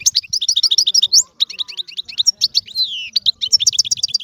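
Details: European goldfinch song: continuous bright twittering of quick repeated high notes, a drawn-out descending slurred whistle in the middle, then more tinkling chatter.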